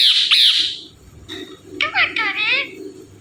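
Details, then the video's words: Indian ringneck parrot known for saying "Mithu": a loud shrill screech opens, then after a lull a quick burst of wavering, speech-like harmonic syllables, over a constant low indoor hum. "Talking Parrot Saying Mithu Mithu"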